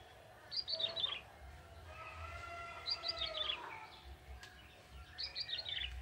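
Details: Song of a young wild male bar-winged prinia from the forest, lively and full: three bursts of rapid high chirps stepping downward, about two seconds apart, over low rumbling background noise and faint lower whistles.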